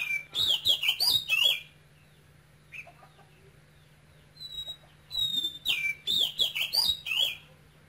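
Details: Cage-kept male oriental magpie-robin of Cambodian origin, singing eagerly and continuously in a high voice, Quảng Ngãi regional style: rapid runs of bright whistled notes, wavering and looping, two long phrases split by a brief soft pause, faint hum beneath.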